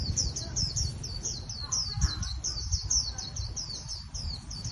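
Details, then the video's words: Japanese white-eye contest trap song, a steady rapid series of high thin slurred notes, several per second, over a low background rumble. "Khuyên Bổi Bẫy Đấu Hay"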